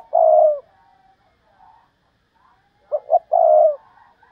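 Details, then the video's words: Decoy spotted dove valued for its good voice: a deep, mellow drawn-out coo, then after a pause two clipped short notes leading into another long hollow coo, clear and close with a silent background. "Cu gáy mồi cây, hót hay"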